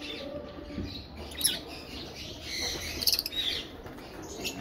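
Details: A Fischer's lovebird gives a few shrill, high chirps in scattered short bursts, with soft rustling and low background noise.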